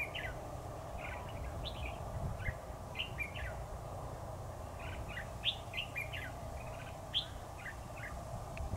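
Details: Red-whiskered bulbul at a trapping site, recorded 7 October 2019: a dense run of short, bright chirpy notes that rise and fall, sounding almost without pause over a steady low rumble of background noise.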